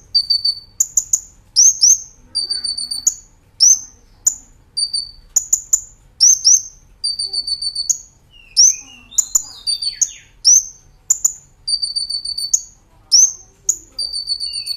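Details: Brown-throated sunbird singing the chattering 'nembak ngerol' style on a master tape for training cage birds: repeated phrases of a brief high trill ending in a sharp, piercing upward note, about one phrase per second.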